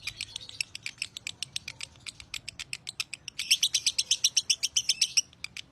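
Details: Lovebird master recording of the long 'narik panjang' song. Steady high chipping at first, then a louder, denser burst of rapid shrill notes near the end before it tapers off.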